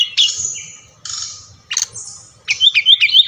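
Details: Brown-chested jungle flycatcher, Bali, recording for stimulating captive singers: separate buzzy bursts spaced about a second apart, then a quick series of high sliding whistles.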